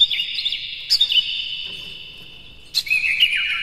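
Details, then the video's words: Short stretch of excited Oriental magpie-robin song played to raise other magpie-robins' spirits: warbled whistles, a pause, then a sharp burst followed by descending slurred notes. "KACER NGEPLAY GACOR NEMBAK-NEMBAK ISIAN, PANCINGAN AMPUH NAIKAN EMOSI KACER"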